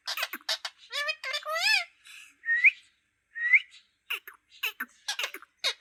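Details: Green parrot talking, uttering rapid speech-like syllables mixed with rising whistled notes. Short bursts are separated by brief pauses.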